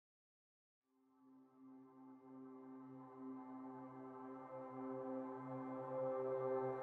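A slowly swelling ambient music drone with layered sustained tones, and no animal sounds.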